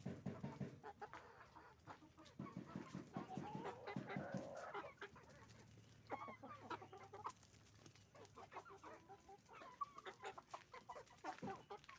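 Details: Roosters and hens on a chicken farm making noise: dense overlapping clucks and cackling, with bursts of rapid repeated notes and a louder squawking phrase midway, continuing in irregular flurries throughout.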